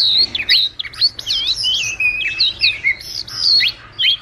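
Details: Wagtail twittering to call its flock, a trap-lure recording: quick, bright, looping whistled notes, some rising and falling, strung together almost without pause.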